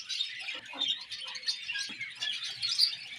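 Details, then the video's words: Several pet budgies in morning chatter, a steady stream of overlapping high chirps and scratchy warbled notes with small peaks of louder calls, plus faint soft low knocks. "Beautiful Budgies Morning Chirping Sounds"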